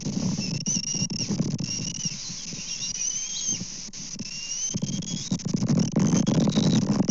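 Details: Bald eagles calling at their Kansas nest on the morning of 24 May 2024, filmed by a live cam while fish are delivered and stolen. Thin piping whistles come in bursts over loud buffeting wind and rustling.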